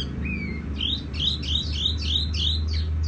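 A tiểu mi songbird sings a fast run of bright, rising-and-falling whistled notes, about three a second, over a steady low rumble.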